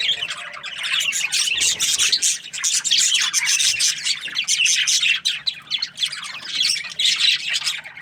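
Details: Several budgies calling in the morning, busy twittering chatter of quick high chirps and harsh squawks that rises and falls in loudness, dipping briefly at about five seconds.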